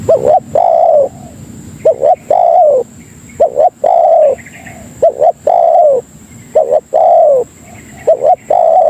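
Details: Lure call of the spotted dove (tekukur) for attracting fellow doves: repeated cooing pattern of a quick double note and a longer sliding-down coo, about five phrases, with a faint steady high-pitched tone throughout.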